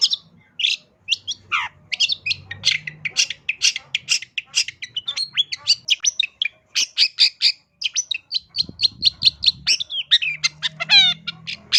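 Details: Long-tailed shrike in full, lively song packed with mimicry: a fast, varied run of sharp chirps, whistles and buzzy notes, ending in a quick descending trill, with a faint low hum beneath.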